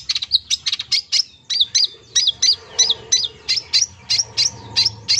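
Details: Full filler-style song of a long-tailed shrike, meant to coax mute or lethargic shrikes into singing: repeated bright, down-slurred whistled notes, roughly one and a half per second, over a faint low hum.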